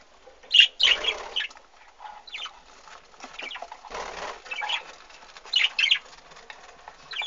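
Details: Budgerigars in an aviary with chicks, 2013: bursts of scratchy, warbling chirps scattered through the recording, several birds calling over one another, with soft fluttering and rustling between the calls.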